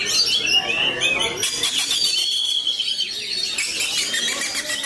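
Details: Performing magpie-robin (kacer matador) giving rapid, scratchy twitters and chattering notes in fast succession, with a brief quieter pause in the middle before the chatter resumes.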